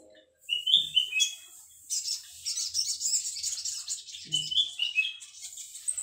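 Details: A young male olive-backed sunbird sings actively in high, thin, sweeping whistles and rapid twittering trills in bursts, with a faint low knock now and then.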